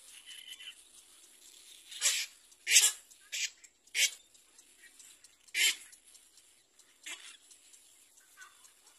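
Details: Little black cormorant about to feed its young: a handful of loud harsh rasping squawks spaced one to two seconds apart, with fainter scratchy sounds and quiet gaps between.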